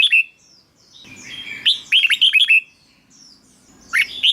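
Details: Red-whiskered bulbul song meant to make listening birds excited. A fast run of five bouncing, liquid notes sits between brief opening and closing chirps, with soft low rustling.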